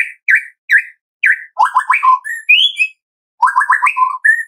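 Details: White-rumped shama, afternoon 'tembakan' song meant to provoke a shama into singing: four spaced, chirpy notes, then fast stuttering whistled phrases ending in clear rising and level whistles, repeated after a short pause.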